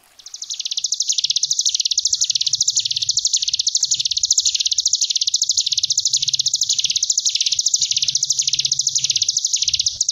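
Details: Sunda bush warbler (ciblek gunung) in the ngebren gelombang tawon style, a tutor recording for young cage birds: a continuous, rapid buzzy trill, high-pitched, swelling and dipping in slow waves about every second, with faint low rumble beneath.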